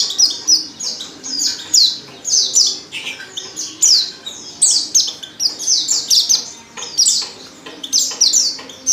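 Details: Rapid chatter from a female white-eye in heat calling a male, made of many sharp, very high descending chirps packed closely together in uneven bursts.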